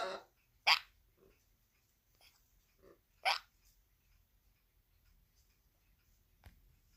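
A sun conure copies human hiccups with short, sharp, breathy bursts spaced a few seconds apart.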